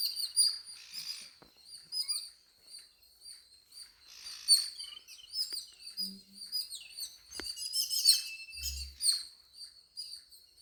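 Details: Birds chirping inside a home: bright, high chirps and tweets in quick bursts, some short trilled runs and rising squeaks, with scattered faint knocks and a soft low thump toward the end.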